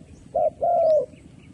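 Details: Spotted dove used as a trapping lure gives a single two-part phrase: a brief mellow coo, a short gap, then a longer drawn-out coo that sags at the end.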